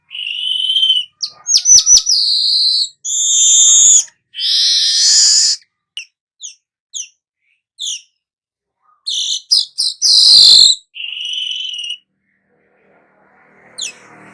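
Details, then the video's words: Long weaver song with buzzy high phrases, quick sharp chips and rasping sizzles in uneven bursts, separated by brief short ticks and pauses, then a loud hissing burst and scattered faint notes. "burung manyar anda akan jadi GACOR NYERUT"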